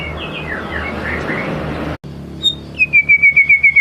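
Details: Shama lure song, heard as a hissing, masked start and then a clear series of about eight down-slurred high whistles at an even, fast pace.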